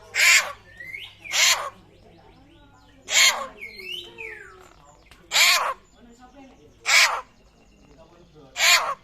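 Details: Raptor-like calls of a rare butcherbird from Papua: six loud rasping bursts, irregularly spaced, mixed with short slurred whistles and softer chattering notes between them.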